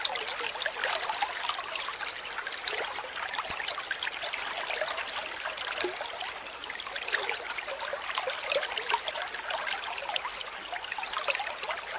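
Steady trickling and splashing water fills the recording, with no animal voice standing out.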